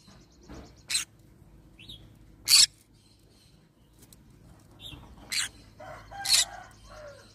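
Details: Scattered short rasping squawks and small thin chirps from a yellow-sided green-cheeked conure parrot, spaced irregularly over a soft background hum.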